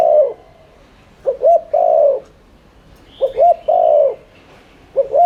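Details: Spotted dove giving its 'thúc liên thanh' coo, a lure meant to get doves cooing quickly. Low phrases of two short notes and a sustained coo, roughly every two seconds, with a faint higher twitter.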